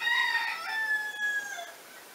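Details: A rooster crowing in the French countryside: a loud, harmonic-rich crow with a strong opening that holds level and then tapers away over about two seconds, with a quiet background.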